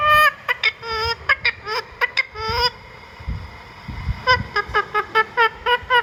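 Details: Indian ringneck parakeet repeats short harsh calls in quick series, pausing briefly midway before resuming the rapid, evenly spaced notes.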